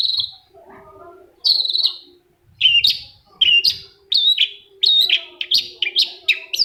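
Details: Long-tailed shrike singing as a provoking lure for a lazy shrike; grating notes and short whistled phrases, spaced at first and then tumbling faster.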